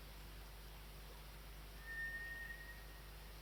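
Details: A single drawn-out, thin, steady whistle from a White's thrush at 5 am on a cold 29 March morning, a bird normally heard in summer's middle of the night, set against a faint background hum.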